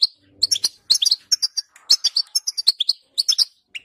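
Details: Song of a European goldfinch, intended to get a goldfinch singing; quick sequences of high tinkling chirps and twittered notes, separated by brief pauses, with a faint low buzz at the start.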